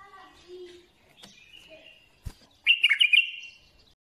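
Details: Bulbul gives a short burst of fluty, jumbled notes near the end after a quiet stretch with faint chirps and a single sharp click.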